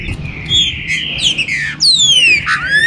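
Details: Green-winged saltator (trinca-ferro) warm-up song for stimulating captive birds in the 2022 season: loud, full whistles, one long held note and sharp downward-sliding phrases, over a low rumble.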